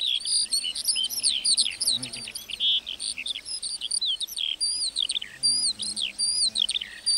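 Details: Lark singing in a meadow: a continuous, rapid stream of varied high chirps, trills and slurred whistles with almost no pauses across the whole clip.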